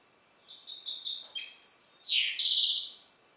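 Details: Captive-bred goldfinch hybrid sired by a Balkan goldfinch, Carduelis carduelis balcanica, singing a bright, high twittering phrase of quick repeated notes, then a loud buzzy downward slur and a short chattering trill, lasting about two and a half seconds.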